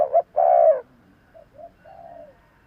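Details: Spotted dove luring call: a loud phrase of two quick coos and a long falling coo, followed by a fainter, more distant answering phrase.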